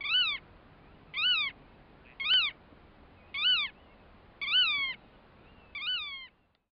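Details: Black-tailed godwit calling at the Arkemheen, Netherlands: six loud nasal, arched calls, each rising then falling with strong overtones, repeated roughly every 1.1 seconds over faint low background noise.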